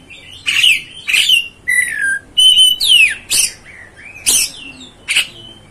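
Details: Oriental magpie-robin sings a sequence of buzzy bursts and clear whistles, one long whistle sliding down steeply, notes spaced roughly half a second apart.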